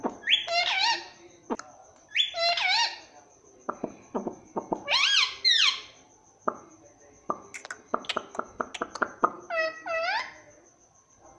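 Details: Chattering parrot that reportedly says "mummy" and "papa": repeated bursts of warbling, harmonic syllables with sharp clicks and pops between them, and a faint constant high whine throughout.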